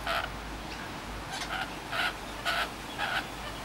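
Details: Wild rainbow lorikeets visiting a Sydney, Australia suburb in the afternoon give harsh, scratchy screeches in short bursts, about two per second at an uneven pace, over a low steady hum.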